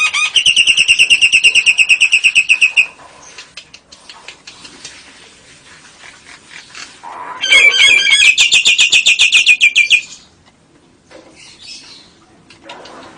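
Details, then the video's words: Nias hill myna singing with lovebird and canary imitations in ngekek style: a loud, fast buzzy trill of rapid repeated notes for nearly three seconds, a quiet pause with faint chatter, then a second intense trill lasting about two seconds. "Kicau Jalak Nias Gacor Istimewa Variasi lovebird & Kenari AF NGEKEK"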